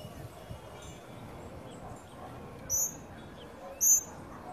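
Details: A tropical mockingbird family with young feeding at a birdfeeder in Trinidad on a sunny day. After a quiet stretch, two loud, high, thin chirps ring out about a second apart over low ambient noise.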